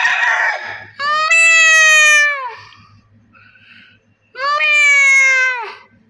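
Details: Chickens raised on a large Pakistani poultry farm: two long, harmonic, wailing calls, each holding steady before dropping at the end, separated by a pause with faint clucking and a low hum.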